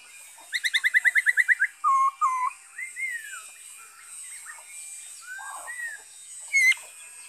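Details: Black-throated laughingthrush song recorded 5 May 2021: a rapid trill of about eleven pulses, two lower whistled notes, then softer slurred whistles over faint background noise, closing with a sharp high note.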